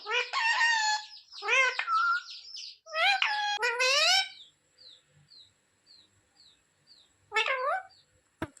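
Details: Pet parrot talking, said to ask mummy for roti: a burst of harmonic, bending squawk-like syllables for about four seconds, then faint soft chirps and one more short rising-falling phrase near the end.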